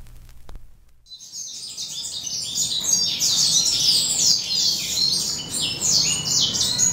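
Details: Adult male Western Citrils singing while sunbathing in the morning sun, breeding season near. After a brief low thump and a second of quiet, several birds burst into dense, high, rapid twittering with a faint low hum beneath.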